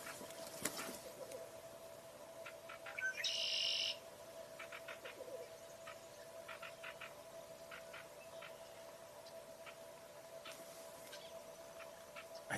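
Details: A red-winged blackbird gives short, sharp chip notes at an uneven pace with one harsher buzzy burst early, over a steady low mechanical hum; observer found the sound unusual for the species. Recorded 18 May 2024.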